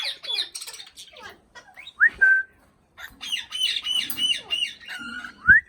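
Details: Indian ringneck parakeet mimicking speech. Quick raspy syllables give way to a rising whistle with a steady tail, then a long phrase of repeated buzzy, warbling notes. It ends on another upslurred whistle.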